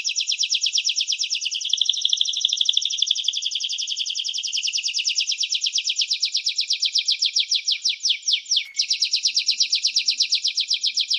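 A canary sings without a break, in rapid high trills and rolling tours that shift in speed and pitch, with one brief sweeping dip near the end.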